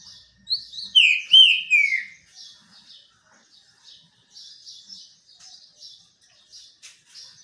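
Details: A sunbathing green-winged saltator delivers a loud cluster of four or five descending whistled notes in the first two seconds, then only soft high chips.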